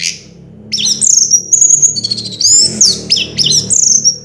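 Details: Very high, clear whistles swoop and slur in quick succession from an orange-headed thrush that took first place in a 2022 contest, with a few sharp inflected notes between them.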